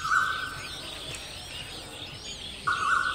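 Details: Striated babbler, a gregarious bird of the Indian subcontinent, at a nest with eggs and chicks; loud harsh buzzy bursts open and close the moment, with faint thin chirps of other birds above and steady background noise.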